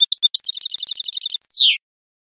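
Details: European goldfinch in the clean 'limpio' song style: a fast, even run of bright, tinkling notes, about twelve alike, ending in a drawn-out, downward-sliding buzzy note. Clear and free of background noise.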